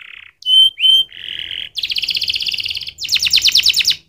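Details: Canary singing two clear ringing whistles, a soft buzz, then a fast pulsed rattle and a rapid series of rolling chirps.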